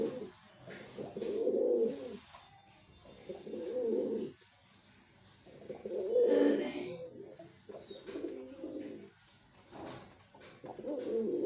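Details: Male white pigeon cooing: low, throaty, rolling coos in bursts of one to two seconds, separated by short quiet gaps, with a faint background hiss.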